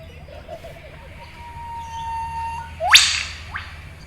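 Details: An eastern whipbird in the forest of Lane Cove National Park, Sydney, gives a long, even whistle that snaps into a loud, sharp, echoing whip crack, followed by a short upswept note.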